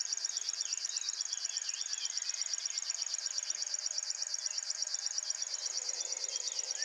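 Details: Early-morning song of a male River Warbler showing well at RSPB Ham Wall. A continuous high, buzzy reeling made of rapid regular pulses, with soft calls of other birds faintly beneath.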